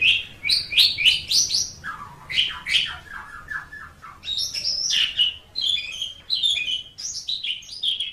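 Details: Asian pied starling singing a varied master song: quick buzzy and whistled notes in irregular bursts, a brief run of lower descending chuckles mid-phrase, then high sweeping whistles and chattering, continuous over several seconds.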